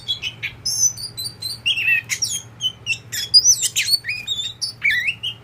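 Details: Kept oriental magpie-robin, a tame kacer poci, singing a mix of very high thin whistles, harsher scratchy notes and downslurred chirps in quick irregular succession, steady hum in the background.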